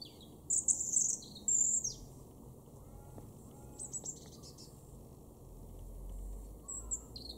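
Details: Robin recorded in October 2022 in a garden in Weener, East Frisia, northwestern Germany: two loud high trilled bursts, then scattered thin high notes and a distant low rumble.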